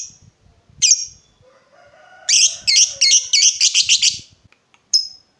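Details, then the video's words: Lovebird in full voice, used as a lure to draw answering calls: two lone sharp chirps, then a rapid string of about eight bright, slightly squeaky notes, and a final chirp, over faint low thumping. "Pancingan Lovebird Gacor Burung Lakbet apapun pasti Nyaut Ngekek"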